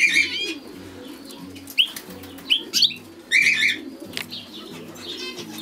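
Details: European goldfinch giving sharp rising chirps and a longer buzzy twittered phrase, repeated in quick succession above a quiet, rhythmic musical background.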